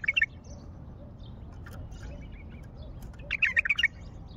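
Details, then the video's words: A wild Baghdad bulbul gives a quick fluty warble at the opening, then a longer burst of four or five liquid notes after a pause, over faint background chirping and low-pitched noise. "تغريد بلبل وحشي بغدادي"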